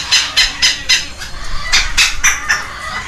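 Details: Two baby red-lored amazons at a rescue ranch in Heredia Province, Costa Rica, hand-fed by a caretaker on May 13, 2022, their wing feathers coming in. Harsh, raspy begging bursts repeat about four times a second, loud and rhythmic.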